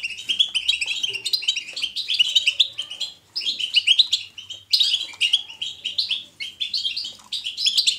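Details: European goldfinch giving natural, lively batbata song, chosen to encourage pet goldfinches to sing: dense, fast tinkling twitters and buzzy trills, high-pitched, running almost without pause, with short breaks near three and almost five seconds.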